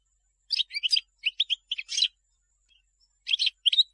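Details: European goldfinch song for teaching young birds. Lively clusters of sharp, liquid twittering notes, then a short gap, then more bright chattering phrases.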